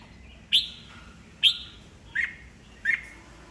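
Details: Red-whiskered bulbul, an old wild-caught bird, singing to spur rivals into competing: four clear whistled notes, the first two higher and the last two lower, spaced roughly every three quarters of a second.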